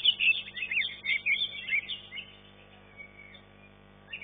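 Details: Green leafbird in a competitive singing contest, ranked third in class 1; rapid, varied whistled and chattering phrases for two seconds, then near silence with one short note at the end.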